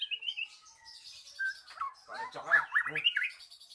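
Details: Magpie-robin singing in a lure recording meant to coax a silent bird into song: a busy jumble of whistled and scratchy notes rising and falling, loudest in the middle.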